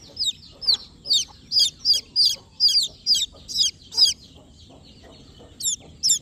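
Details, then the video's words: Baby chickens, newborn, chirp a run of high, quick peep notes, falling then wavering, grouped closely for about four seconds, a short gap, then a couple more peeps. "Baby chicks criping sound/newborn born chicks sound/baby chicken sound/country chicks sound"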